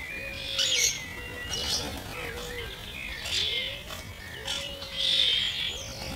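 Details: Slowed to 50% speed, starlings, mostly this year's youngsters, squabble over food: low wavering whistled arcs repeat about once a second under scratchy, hissing bursts of chatter.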